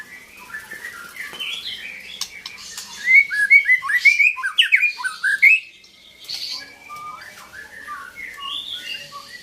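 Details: Long-tailed Belorok white-rumped shama, Medan type: a varied run of clear whistled and slurred notes, loudest and densest in the middle, each phrase quick and changing in pitch, then softer scattered whistles with faint background noise.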